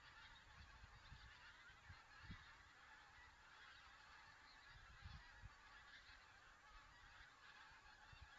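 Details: A group of geese flying over Loch Leven at Burleigh Sands, Scotland, at 17:11 on 25 December 2008, the third group to pass. Their distant calls merge into a steady chattering band, with low rumbling bursts of wind beneath.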